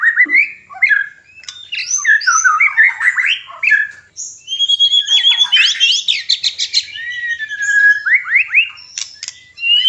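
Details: Energetic mating song from a caged white-rumped shama, used as breeding therapy: tumbling loud chatter, falling whistles, and a fast rattling trill, continuous for ten seconds.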